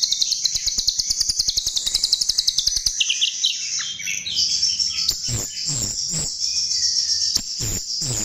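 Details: Chestnut-tailed starling lure song opening with a rapid, very regular rattle of clicking notes under a high buzz, then melting into varied warbled phrases, short slurred whistles and a few harsh scratchy bursts.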